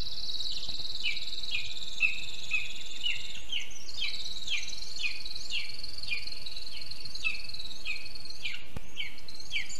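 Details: Lesser spotted eagle at a spruce nest in Zemgale, Latvia, 6:48 a.m. on 24 June 2022, adult feeding the chick after its mate brings a water vole; thin downslurred calls repeat about twice a second over a steady high insect-like hum.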